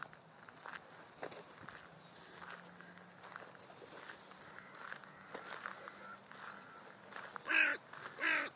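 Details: Talkative crows chattering among themselves: soft scattered croaks and clicks for several seconds, then two loud, harsh caws close together near the end.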